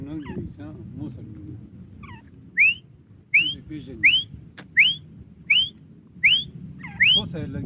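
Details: Grey francolin calling: a run of loud, sharply rising whistled notes, each one sweeping upward, repeated roughly every three-quarters of a second over a low rumbling background.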